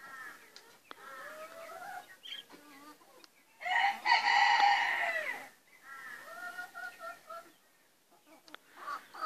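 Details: A rooster housed separately from the hens, crowing as it does daily when going to visit them. Murmured clucks and short calls surround one loud, rich crow lasting about a second and a half near the middle, with softer calls following.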